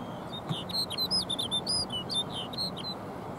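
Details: A Snow Bunting (Plectrophenax nivalis) at Jökulsárlón Glacier Lagoon, Iceland, sings a quick, bright jumble of high, clear whistles and twittering notes over a steady background hiss.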